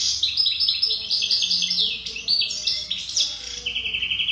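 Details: European goldfinch of the wild khalwi type delivering a distinctive song: dense, high, liquid twitters and slurred chirps flowing quickly, ending in a short buzzy, evenly repeated trill.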